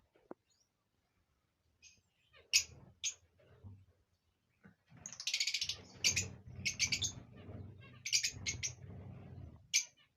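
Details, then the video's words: Rosy-faced and Fischer's lovebirds giving a mating call meant to stimulate breeding: after near silence, sharp shrill chirps come in short bursts. They grow denser toward the end, with a low hum underneath. "أقوي صوت لتزاوج طيور الروز والفيشر"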